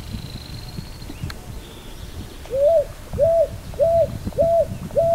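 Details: Picui ground dove calling a steady series of five soft coos, each swelling upward and holding flat, spaced roughly every 0.6 seconds, after a quiet stretch with a faint high whistle and low background rumble.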